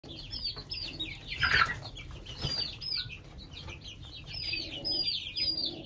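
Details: Young Shamo (fighting-breed) chicks peep steadily with high, thin notes that slide downward over rustling and scuffling; one chick escaped from the hand and squabbled with another caged separately.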